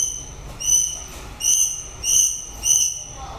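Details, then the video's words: High, clear whistled notes from a White-rumped shama near the end of the breeding season, four evenly spaced notes repeated roughly every 0.6 seconds against soft background noise. "Chòe lửa bông hót cuối mùa sinh sản /shama bird/白腰鹊鸲/บินหลาดง"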